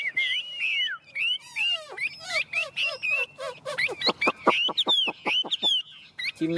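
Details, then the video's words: Tame caged Chinese hwamei singing loud whistled phrases: slurred rising and falling notes, a rapid rattling trill, then a fast run of sharp repeated notes near the end. "Chim Họa Mi thuần bóng bộ quá đẹp"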